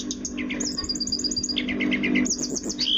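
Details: Energetic song of an orange-headed thrush: fast series of bright, high whistled notes repeated in quick bursts, interspersed with lower chirped phrases, over a constant low hum.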